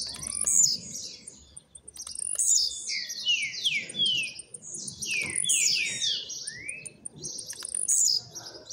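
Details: Household Blue-black grassquit, newly acquired and finishing its molt, sings quickly with trills: sharp high phrases repeated about every two seconds, each followed by a cascade of downslurred whistles over faint background hiss.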